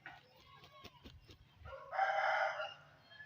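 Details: Aseel rooster crowing: a loud, harsh, drawn-out note lasting about a second, after a few faint clicks and low background noises.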